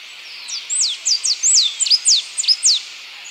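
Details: Blue-and-yellow tanager (Pipraeidea bonariensis) singing a quick string of high, sweet slurred notes, each dropping sharply in pitch, about a dozen in three seconds.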